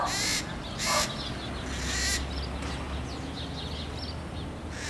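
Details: Red-shouldered macaws in cerrado fields near Araguari, Minas Gerais, Brazil, give harsh, grating screeches, about three loud bursts in five seconds, over a low steady hum and faint chatter of other birds.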